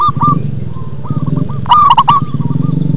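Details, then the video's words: Local zebra dove singing in a bassy manner, soft stuttering coos and one louder rolling phrase partly masked by a strong low engine-like rumble. "Perkutut lokal manggung ngebas"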